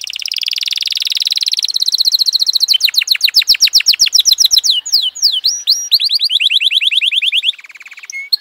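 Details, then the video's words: F1 canary in full song: a rapid high trill gives way to loud, repeated downward-sweeping notes, then V-shaped swooping calls and another fast trill, ending with a softer, lower rattle. "suara kenari f1 keren dan mewah"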